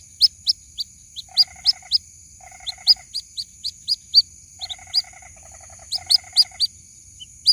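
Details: Piercing, rising peeps from a white-breasted waterhen chick calling to its mother come in rapid irregular series. Several short buzzy rattling bursts are interleaved, with a faint continuous high whine behind.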